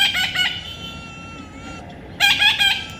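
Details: Young parrot letting out a short run of rasping squawks, then a quiet gap with a thin steady tone, then another burst of harsh calls.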